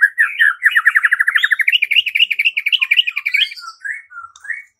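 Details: White-rumped shama singing, used as a lure to provoke fighting and singing: fast chattering bursts of harsh, rapidly repeated notes climbing slightly in pitch, then a few separate whistles trailing off.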